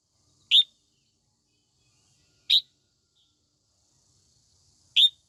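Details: Singing female red-whiskered bulbul, meant to excite young males, gives three clean, sharp single chirps about two seconds apart, with near silence in between.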